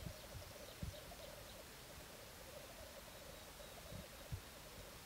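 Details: Black grouse at a courtship display in 2014, giving a steady, low bubbling rookoo that runs unbroken through the clip. There are a few soft thumps and faint high ticking notes in the background.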